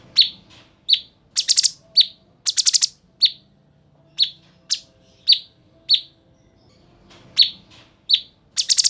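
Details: Cucak cungkok bulbul in full, vigorous song meant as a model for cage songbirds: crisp descending chirps interleaved with rapid rasping four-note bursts, a short lull, then chirps and a harsh burst again.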